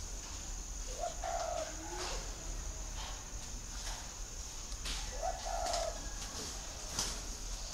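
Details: Spotted dove in Vietnam giving two soft, low cooing phrases a few seconds apart, each a short note followed by a longer, slightly wavering hum, set against steady hiss and a faint high insect-like whine.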